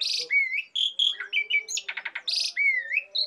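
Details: Asian pied starling song used as training material for songbirds, with clear sliding whistles, harsh buzzy bursts and a short rapid series of grating notes.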